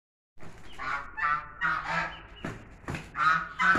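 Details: Chinese geese fighting: a run of harsh, nasal honks, about two or three per second, uneven and loud, with scuffling noise between them.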